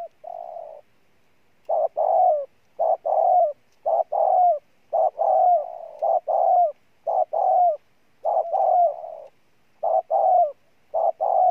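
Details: Rapid, almost continuous cooing from a spotted dove in 'gù' style: short stressed notes and falling coos following one another about once a second with barely a pause.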